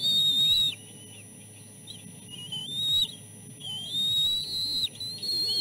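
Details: Nest chicks, three siblings, calling while being fed fish. A loud high whistle, a quieter stretch of softer notes, then long rising whistles that break off sharply, against a steady low hum.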